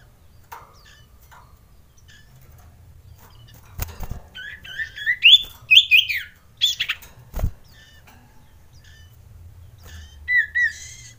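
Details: Lure recording of a male Common Iora (sirtu) calling to mate: bursts of quick chirps and rising, slurred whistled notes clustered mid-clip, a sharp click, then a final pair of bright whistles.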